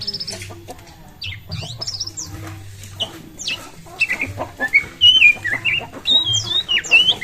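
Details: Oriental magpie-robin singing, meant to provoke other birds into song: scattered faint notes at first, building into clear looping whistles and twisting trills in the second half, over a low hum.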